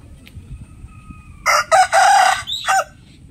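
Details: Loud rooster crow broken into several choppy bursts over about one and a half seconds, ending in a falling note, against a low background murmur.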